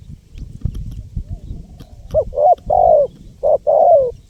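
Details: Spotted dove recording for luring wild birds: low murmuring and handling noise at first, then a run of soft, rounded coos, short and long notes alternating, the longer ones sliding downward.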